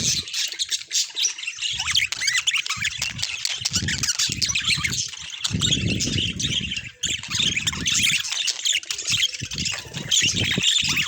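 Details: Naturally recorded budgerigars fill the air with steady, high chirping and warbled chatter, while repeated low thumping and rustling sounds come and go underneath.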